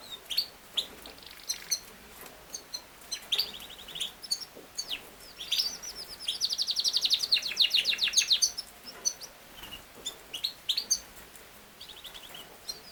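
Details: Yorkshire canary, a king size canary breed, giving scattered soft chirps, then a fast, rattling trill of several seconds in the middle, before quieter, spaced notes return against faint background hiss.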